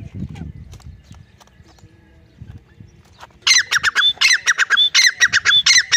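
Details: Francolin (teetar, Dhakni type) calling: after about three seconds of quiet low rumble, a loud, harsh, rapidly repeated series of squawking notes bursts in, about seven phrases in quick succession.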